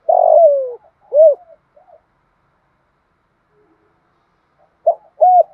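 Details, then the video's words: End of a spotted dove's 'giọng thổ' 'thúc gù' phrase, a long purring downward coo then a round arched coo and soft trailing notes, followed by silence and the clipped start of the next phrase. "Tiếng chim cu gáy thúc gù giọng thổ bài bản đủ bài mở là bổi gáy"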